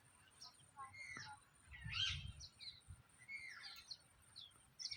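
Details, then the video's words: Parrot calling with a single loud, grating screech near the middle, between thinner chirps and short whistled notes, over a low thumping background. "Parrot Chirping Sounds | Natural Parrot Sounds | Parrot Calling Sounds"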